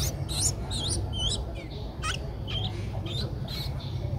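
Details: Eleven-day-old Streak-eared Bulbul chick, Ubon Ratchathani, Thailand, April 2023. High, wavering chirps come in a quick cluster, then thin out into sparser squeaks and clicks, over a strong low rumble.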